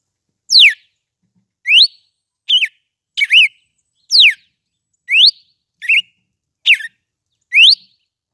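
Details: Red-cowled cardinal in full song, a steady series of about ten bright whistled notes alternating falling sweeps, rising sweeps and short doubled warbled notes, roughly one per second, with no other sounds.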